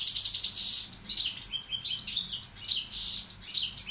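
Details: Tutor bird of the Balkan goldfinch form Carduelis balcanica in full song, a dense rush of high tinkling, twittering notes with short buzzy trills and quick whistles.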